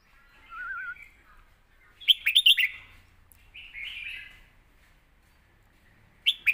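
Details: Red-whiskered bulbul contest song meant for teaching young birds, opening with a low wavering trill, then a quick cluster of sharp bright notes, a smoother warbled phrase, and a final clipped note.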